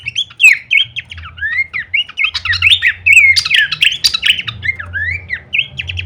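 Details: Horsfield's babbler giving a full-variation song used as masteran training audio for songbirds: dense, rapid run of slurred whistles and sharp chirps, many notes sliding downward, with a low hum underneath.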